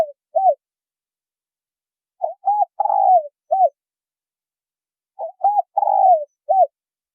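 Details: Spotted dove male and female giving a call to lure wild doves. The tail of one phrase, then two full cooing phrases about three seconds apart: short, short, long descending, short, in silence.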